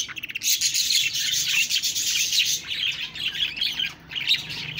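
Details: Chattering budgies give a continuous, dense stream of high, buzzy warbles and chirps, steady and loud for nearly five seconds.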